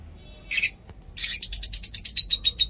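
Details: Morning chirping of lovebirds at a mini zoo: one brief high burst, a pause, then a fast even run of about fourteen shrill, high-pitched chirps in quick succession.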